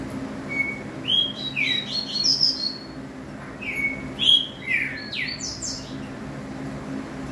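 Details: Green-winged saltator singing two phrases of rich whistles, each opening with a level note and running into tumbling downslurred notes, with a gap between phrases and a quiet continuous hum behind.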